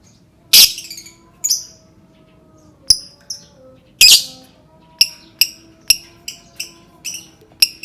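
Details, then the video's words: Lovebird calls used to prompt other lovebirds to sing: sharp, shrill chirps and squawks in short bursts, irregularly spaced about every half second to second, with a louder harsh squawk near the start and another midway. "Suara burung lovebird cocok banget untuk pancing lovebird berbunyi"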